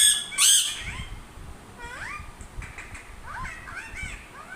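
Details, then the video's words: A loud, grating squawk from a parrot opens the recording, followed by upward-sweeping whistles and scattered chattering notes. "parrots sounds"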